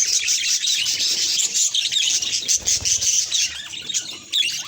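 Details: Budgerigar reacting to a mirror with fast, uneven bursts of scratchy chirps and squawks, several short whistled notes near the end, and a soft low thud midway.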